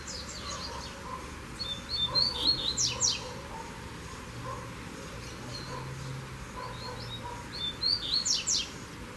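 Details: On a walk out of its cage, a Double-collared seedeater delivers two lively high phrases of rapid clipped notes ending in buzzy bursts, spaced about six seconds apart, over a low background drone.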